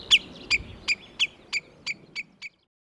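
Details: Common redshank calling, warning and mating in Sweden: a series of eight sharp, high, evenly spaced piping notes, about three per second, that end abruptly after two and a half seconds, with a Northern lapwing in the background.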